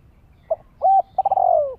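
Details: Spotted dove, voice used for luring and training young birds: a brief note, a flat sustained coo, then a long buzzy throbbing coo that slides steadily downward.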